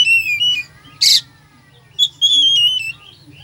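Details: Oriental magpie-robin with full fill-in song used to stir a sluggish bird: a falling whistled phrase, one harsh burst, then a long gently descending whistle over low hum.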